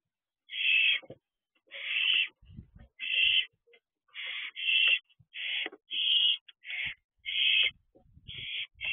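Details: Barn owl owlet in a nest box doorway, practising wing flaps on 13 June 2023 at 8:18 pm; harsh, breathy hissing screeches about a second long, repeated with short irregular gaps, faint soft thuds between.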